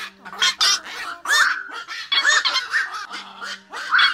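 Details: Night heron flock call for luring the birds into nets at night during August 2024 migration: loud, grating croaks and squawks from several birds, irregularly spaced, with a steady background hum.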